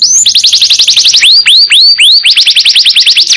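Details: Canary singing continuously, meant as a master song for other songbirds: rapid high trills, then slower rising-falling whistled notes repeated about twice a second, then fast trills again.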